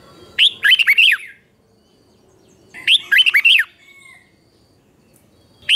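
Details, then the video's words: Red-whiskered bulbul morning song used to excite newly caught birds into fighting song; two matching phrases of four or five looping whistled notes, about two and a half seconds apart, over quiet. "luyện cho chào mào bổi hót | luyện giọng chào mào hót sáng kích bổi hót đấu căng lửa"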